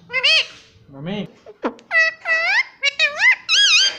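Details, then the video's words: Indian ringneck parrot kept as a pet, repeating 'mummy' and 'papa' in a chattering run of sharp, wavering, nasal syllables, some rising and falling, in a small room. "बातूनी शैतान तोता || मम्मी पापा बोलूंगा || parrot talking everything"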